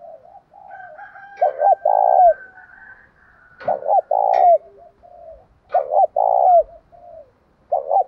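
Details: Cooing of spotted doves, male and female, provoking a fight and calling: four phrases of clipped double hoots leading into a long sliding coo, separated by quieter soft notes, a few sharp knocks between.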